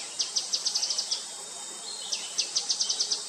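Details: Calling grey-headed canary-flycatcher: two quick series of thin, high-pitched ticking notes, roughly seven to eight per series, over a continuous high insect drone.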